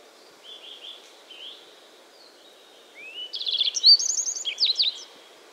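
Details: Yellow-browed bunting singing: two soft, thin high notes, a pause of about two seconds, then a bright, rapid phrase of sharp chirps, trills and slurred whistles lasting about two seconds over faint steady background hiss.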